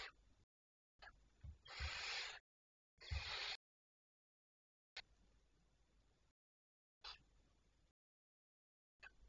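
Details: Barn owls (Tyto alba), recorded at night on 19 May 2023 at 01:37, give two harsh, hissing screeches, each under a second long, between quieter faint hissy passages broken by abrupt silent gaps.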